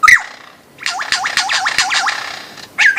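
Lyrebird singing: a fast run of about eight looping, downward-swooping whistles in under two seconds, framed by sharper whistled notes at the start and end.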